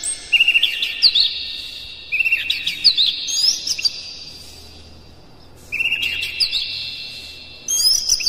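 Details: Oriental magpie-robin singing a dense provoking song meant to stir other magpie-robins into full song and tail-spreading; bright rising whistles and rapid chattering phrases in bursts of about two seconds, separated by quieter pauses.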